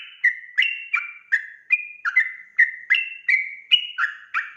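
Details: Sooty-headed bulbul rapid lure song, meant to provoke instant answers: a dozen lively, slurred whistled notes in under five seconds, each with a quick downward flick, in a quick uneven rhythm.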